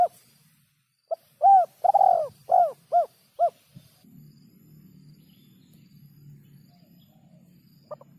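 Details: Spotted dove cooing used to tutor songbirds: a run of six arched, hollow coos, the middle ones loudest, then a low steady hum and one final faint coo.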